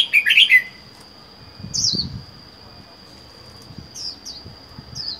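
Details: Caged red-whiskered bulbul kept alone, wild-caught and four months in the cage, gives a loud burst of warbled notes dropping in pitch, then one sliding whistle and a few faint high chirps, over a steady thin high whine.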